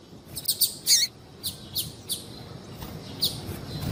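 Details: Female double-collared seedeater calling to excite males, giving a burst of sharp high chirps early on, then softer scattered notes, with low background rumble.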